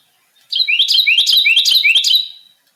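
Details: A male Carolina Wren sings its loud, ringing 'teakettle' song: four quick rolling phrases, each a bright rising-and-falling whistle, delivered in about two seconds with nothing else audible.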